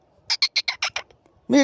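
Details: Talking parrot producing a run of six or seven short, evenly spaced, nasal syllables, then a louder drawn-out tonal squawk at the end, part of repeated 'me too' mimicry.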